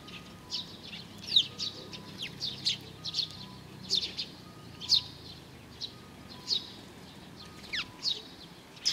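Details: Eurasian tree sparrows gather to be fed at a bridge on 4 June 2020, giving sharp, high, clipped chirps every second or so, a few birds overlapping, with a faint low hum behind them.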